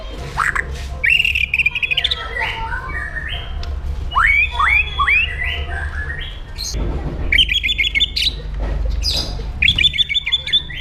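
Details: White-rumped shama giving an aggressive 'pastol jahat' song used for training other birds: loud whistled phrases, rising slurs and rapid chattering bursts in quick succession, with a low background hum.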